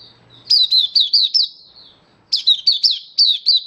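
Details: Open singing from a captive oriental white-eye, dated 24 February 2023: two bursts of about five loud, high, quick chirps each, separated by a second of near silence.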